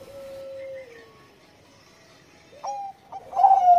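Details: Bangkok zebra dove engkel song meant to raise breeding mood: a long level tone slurring downward, a pause, then a few short coos building into a rich burst of cooing.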